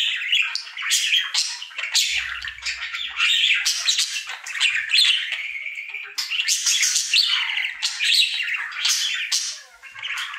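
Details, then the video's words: Happy singing male budgerigar, a pet, in his daily routine: continuous harsh squawky chattering with clicks and scratchy notes in dense bursts, a brief dip near the end, with no other sounds. "Budgie singing for 1 Hour Happy song!"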